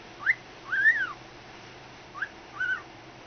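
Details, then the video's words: Pet cockatiel imitating a ringing phone: short whistled notes, a sharp upslurred chirp then a longer arched whistle, repeated twice with a pause between, in a quiet room. "Cockatiel imitates phone"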